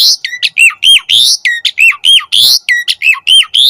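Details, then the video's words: Energetic Asian pied starling song meant as a tutor and lure track. Harsh rasping squawks alternating with bright whistles that fall and hook upward, delivered in a steady rapid rhythm. "Suara Burung Jalak Suren - Masteran & Pancingan Jalak Agar Mompa Gacor Full Isian"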